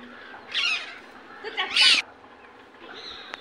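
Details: Indian ringneck parakeet's natural voice: two loud, harsh, rasping squawks about a second apart, the second louder and longer, followed by a faint thin whistle.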